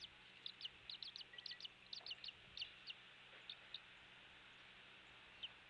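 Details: Eagle at a nest camera on Captiva Island, Florida, 16 January 2023, 07:45, days after a chick hatched. A burst of rapid, thin, high falling chirps, then sparser single notes trailing off, against constant background hiss.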